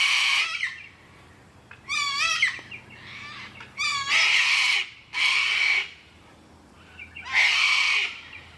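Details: Sulphur-crested cockatoo in Carisbrooke Park, a suburban park in South Australia with river red gums: five harsh, raucous screeches, each under a second, with shorter wavering squawks between them.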